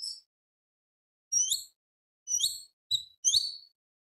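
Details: Greater green leafbird in gacor song, tembak beset style, meant to rouse other birds: four or five separate very high, sharp, downslurred whistled notes with clear pauses between them.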